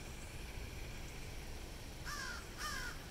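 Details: Two rough, nasal crow caws close together near the end, recorded beside a fountain at a Hilton Head Island, South Carolina university campus, with steady background noise.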